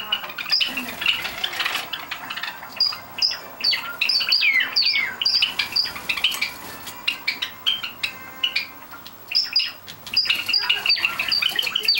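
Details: Seven pet Java sparrows, out of the cage for their 6 a.m. flying time in June 2009 and full of energy; a steady stream of short, high, clipped chirps and squeaks, many in quick succession, with light clattering.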